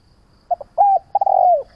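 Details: A single spotted dove phrase meant to lure and train doves to call: two brief soft notes, a level coo, then a longer coo that stretches and drops in pitch, heard clean against near silence.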